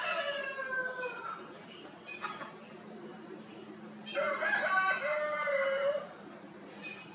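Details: Chicken crowing among Italian and desi birds on an Indian poultry farm, marking territory: the tail of one crow opens, then after a quieter gap with faint farmyard noise a second full, loud crow rings for almost two seconds.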